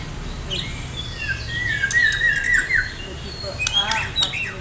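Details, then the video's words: Medan White-rumped shama in full song before a singing contest, its fill-in phrases rich: a soft rising whistle, then a wavering warbled phrase, followed by high chips and a fluttery trilled note over steady background hiss. "murai batu medan gacor siap ikut lomba || murai batu gacor full isian"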